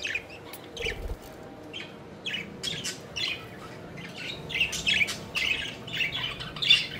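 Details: Pet budgies playing and flying, giving soft, scattered high chirps and warbling notes in short bursts against a steady low background hum.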